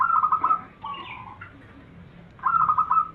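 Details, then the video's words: Zebra dove used as a lure to make other zebra doves sing; rolling, bubbling coo bursts open and close, with higher slurred notes and a short descending phrase between them. "Perkutut lokal gacor RAJA PIKAT ini bikin semua burung perkutut gacor nyaut"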